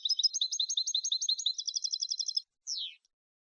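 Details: Clean malagueño-style song of a European goldfinch, used to teach young birds: a long, fast chattering run of sharp twittering notes lasting over two seconds, then a single descending slurred note.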